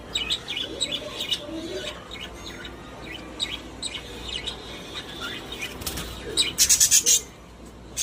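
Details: Pet budgerigars kept in a cage: soft, scattered twittering chirps over a low hum, ending in a louder run of rapid harsh chirps near the close.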